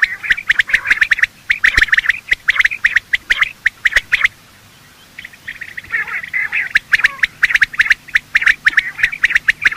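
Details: Morning calling of male and female quail used in hunting: rapid bursts of sharp piping notes, a short near-silent gap midway, then the dense whistled clusters resume.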